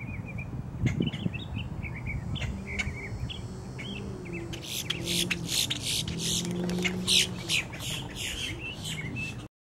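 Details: A boat-tailed grackle calls from a tree on October 10, giving harsh, rasping bursts, several per second, after softer chattering notes, with a low rumble underneath throughout.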